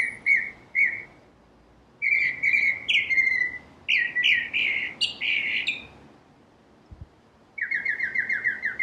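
A Northern Cardinal sings loud, clear whistled phrases of slurred notes, then a fast run of repeated chips to close, with quiet pauses between.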